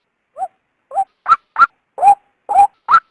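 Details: {'caption': 'Female white-breasted waterhen calling to lure a male out of its habitat. Harsh, nasal notes start sparse, then quicken, alternating lower and higher pitches, about seven notes in three seconds. No other sounds.'}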